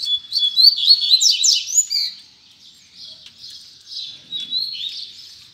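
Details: Double-collared seedeater song, quick high warbled and twittered phrases with fast slurred notes, louder at first and then softer.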